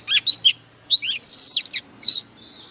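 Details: White-rumped shama, a decoy bird singing fiercely: quick bursts of bright whistled notes and sharp slurred chirps, three short notes then longer rising and falling whistles separated by brief pauses.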